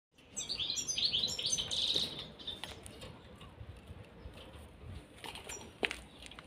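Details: Caged pair of European serins singing: a rapid, high jingling burst of thin buzzy chirps lasting about two seconds, then a few scattered faint notes and clicks.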